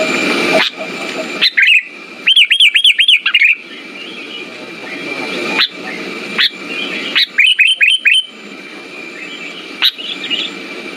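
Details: Sooty-headed bulbul sound meant to provoke song from silent birds: two short bursts of rising-falling arched chirps, about five each, separated by hiss and scattered single notes.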